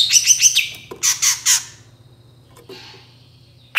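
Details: Long-tailed shrike voice to entice other shrikes to respond: quick whistled chatter, then three loud harsh notes, a quiet gap with a faint scratchy sound, and a final sharp note.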